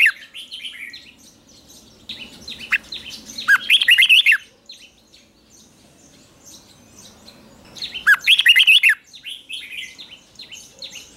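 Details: Red-whiskered bulbul in morning song training, singing the fighting song used to spur wild-caught birds: two dense bursts of fast, bright whistled notes about four seconds apart, over steady background chirping from other birds.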